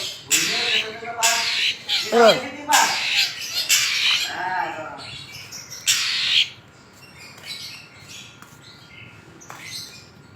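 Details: Long-tailed shrike song with fill-in notes: loud harsh high bursts mixed with lower swooping whistled notes for about six seconds, then near quiet with a few faint notes.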